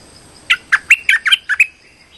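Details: Streak-eared bulbul lure call used for trapping: a quick series of seven sharp, chirpy notes over about one second, then a thin fading whistle. Faint steady hiss behind.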